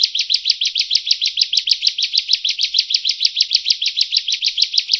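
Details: Bar-winged prinia (ciblek) masteran in 'gacor nembak' style: about thirty high, buzzy chips repeated evenly at around six per second, steady and unbroken.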